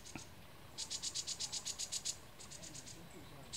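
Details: Green-backed tit recorded at Dasyueshan Forest Recreation Area on 16 March 2015, giving a rapid run of about ten thin, high-pitched pulsed notes followed by a softer shorter series, against low background noise.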